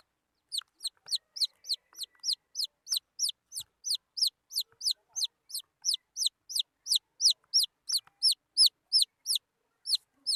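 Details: Wild chicken chicks peeping steadily, about three high downslurred peeps per second for ten seconds, each note bright and falling in pitch, with a clean quiet background.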